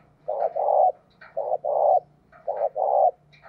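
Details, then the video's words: Decoy spotted dove calling to lure wild doves. It gives deep, hollow coos in three paired phrases, each a short note followed by a longer, fuller one, about a second apart, over a faint low hum. "Cu Gáy Mồi Thúc - Gáy Gọi Kích Bổi Mới Nhất | Chim Cu Mồi"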